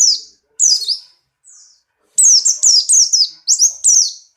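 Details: White-eye of the Buxtoni kind (pleci), strongly in breeding condition and leaping, pours out shrill falling whistled notes, a short group, a lull, then a rapid run of about six loud high chirps.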